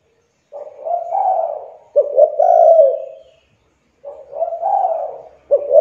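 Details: Cooing of a spotted dove meant to coax reluctant doves into calling; repeated phrases of a few quick clipped notes leading into a longer rolling coo, with short silent gaps, otherwise clean.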